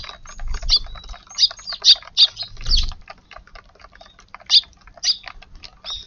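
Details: Several sparrows come to a garden for breakfast on 19 March while light rain falls, eating hungrily; loud bright chirps repeat at roughly half-second intervals, with a low thud near three seconds and a pattering background.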